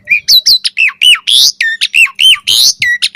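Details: Asian pied starling song used to make other starlings respond: dense, rapid squeaky slurs and rasping chirps, each note bending up or down, packed tightly throughout.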